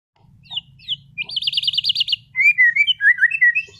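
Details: Caged contest-class white-rumped shama from Sragen singing continuously and showing off its repertoire: two high chirps, a fast buzzy trill of about twelve notes, then a run of loud, clear whistled phrases that rise and fall.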